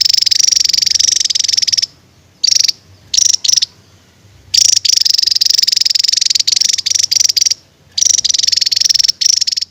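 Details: Javan tesia in full song, firing long continuous buzzy trills broken by brief gaps and short bursts.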